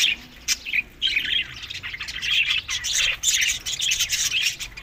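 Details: Budgies eating summer food, May to June, Larkana, Sindh; isolated sharp chirps opening into dense warbling and squawking from several birds.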